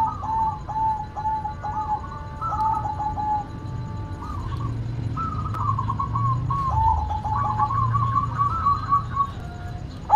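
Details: White zebra dove in active song: a long run of soft, ringing, clipped coos in repeated phrases with some held tones, fairly faint over a steady low rumble, possibly more than one bird cooing.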